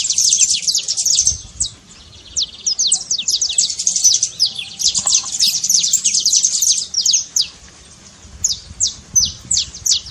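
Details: Trilled song of a saffron finch, used to fire up a silent canary: long runs of quick, sharply falling high notes, pausing briefly, then resuming in short bursts.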